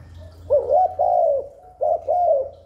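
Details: Spotted dove calling to draw wild doves and stimulate newly caught ones: two rolling coo phrases, each a short note followed by a longer, slightly falling hollow note, with a faint low hum beneath.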